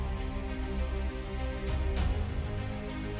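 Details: Only background music is heard, with sustained tones and no animal sound.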